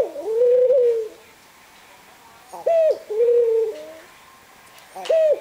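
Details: Aged pet ringneck dove, nineteen years old, bowing and cooing: long, steady, low coos about a second each, separated by short rising clipped notes, in a quiet indoor setting.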